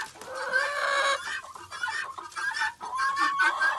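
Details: Several chickens chatter together in a pen at feeding and cleaning time: a dense, continuous tangle of overlapping clucks and wavering squawks with no clear breaks.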